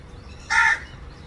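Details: One strong, raspy caw of roughly a third of a second as a crow calls out to its partner, surrounded by a quiet, low-pitched background.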